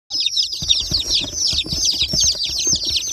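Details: Group of newly hatched, rainbow-colored baby chicks peeping nonstop, a dense overlapping stream of high, thin cheeps with soft low thumps and bumps underneath.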